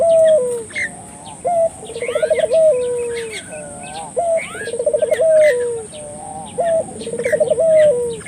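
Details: Lure recording of a spotted dove meant to get local doves calling: three repeated phrases, each a brief sharp note followed by a throaty trilled roll sliding into a long descending coo, with scattered thin chirps of other birds and a constant high-pitched hum.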